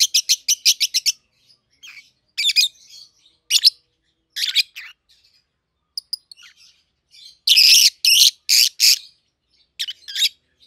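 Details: Two young captive peach-faced lovebirds, red-headed green opaline and red-faced dark green colour forms, about 7-8 months old. A rapid string of clipped shrill chirps opens, then harsh squeaky bursts and a loud run of screechy notes.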